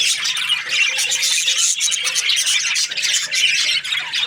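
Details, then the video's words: Happy parakeet chatter: rapid squeaky chirps and grating warbles layered thickly, with short dips in loudness now and then. "Happy budgie chirping sounds"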